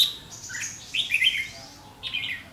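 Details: Trapping scene with a red-whiskered bulbul's aggressive 'ché' song toward a decoy bird, 7 July 2016: scattered bright notes, a jumbled warbling phrase mid-way and a final rising chirpy burst, spaced by quiet gaps.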